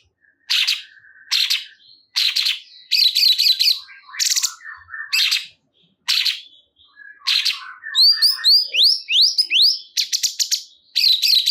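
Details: Cungkok bulbul song meant to get other cungkok singing: quick series of harsh chirps and trills, then a run of sharp upward-sweeping whistled notes, densely repeated across eleven seconds.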